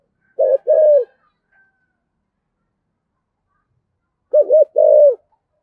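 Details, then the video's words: Thổ-style cooing from a decoy spotted dove: two brief phrases, each a stuttered double coo and then a drawn, falling coo, separated by about three seconds of quiet. "Chim Cu Mồi - cu gay giong tho cuc dinh gay goi"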